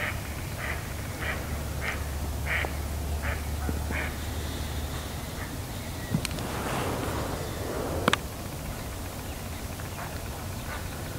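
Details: Hidden duck, only heard, calling a run of rapid, raspy quacks for about four seconds, followed by sharp clicks, rustling and a steady low drone.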